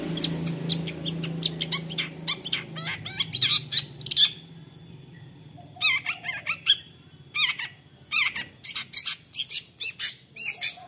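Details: Long-tailed shrike in lively 'toet toet' song, played as a lure to make other shrikes sing: a varied stream of sharp chirps, clicks and short whistled slurs in quick irregular bursts, with a low rumble early on.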